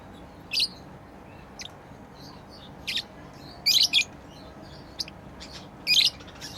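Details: Tame lovebirds playing give scattered short, sharp chirps, some doubled into quick pairs, with long quiet gaps in between.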